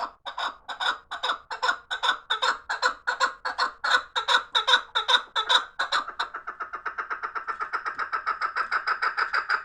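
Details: Rhythmic chukar partridge calls from fighting birds, a loud chuk series that speeds up after six seconds into a quick, even, clipped chatter.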